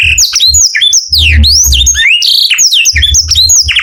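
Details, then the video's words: Morning song of a canary, a bright run of quick whistled slurs rising and falling, one long descending sweep near the middle, with soft low thuds in the background. "O SOM DOS CANÁRIOS FAZ OUTRA EMOÇÃO DOS CANÁRIOS E ALEGRIA A VOZ DA MANHÃ"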